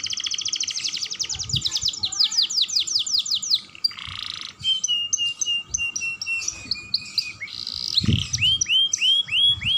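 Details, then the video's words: Young pet canary in full continuous song, meant to stimulate other canaries: a long rapid trill of high downsweeping notes, a raspy buzz, scattered chips, then rounded rising whistles repeated steadily, with a few low thumps. "Pancingan Kenari Muda Gacor Dor || Pancingan Kenari Paud"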